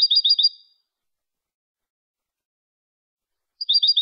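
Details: European goldfinch, clean contest song recorded in Málaga in 2020 for tutoring: two brief bursts of quick tinkling notes, one at the start and one at the end, separated by silence.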